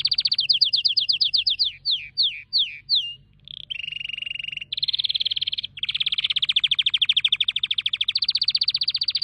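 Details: Canary singing descending whistled notes that slow and spread out, followed by a low trill and long fast rolling trills.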